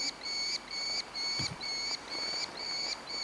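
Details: Merlin fledgling in Engerdal, Norway, July 2011, begging for food: steady, piercing, drawn-out whines, each about 0.4 seconds, repeated about twice a second, with a soft low thud partway through.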